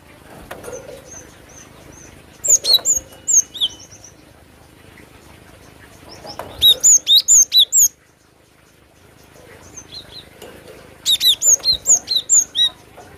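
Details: Cinereous tit giving three separated bouts of song. Each bout is a string of six to eight bright, high whistled notes, evenly spaced and each dropping in pitch. Short quiet gaps fall between the bouts.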